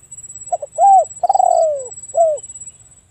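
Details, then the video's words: Single phrase of a spotted dove: two short notes, an arched coo, a long drawn-out falling coo, then a final arched note, with a faint high buzzing in the background. "The Best Spotted Dove Sound លលកសម្លេងល្អលឺច្បាស់១០០%"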